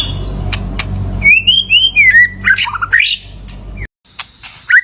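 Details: White-rumped shama song used to call a mate: clicks, then a series of wavering whistled notes descending into a rapid burst, with low background rumble and a brief silence.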